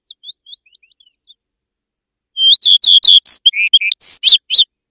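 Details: Common redstart song: a few thin, high, descending whistled notes, a short pause, then a loud rapid phrase of buzzy, scratchy and warbled notes for about two seconds, with no other sounds.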